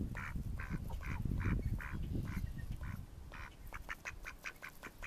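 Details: In May 2014, mallard ducks give drawn-out, evenly spaced nasal quacks, then a quicker run of short clipped ones, over heavy low-pitched background rumble.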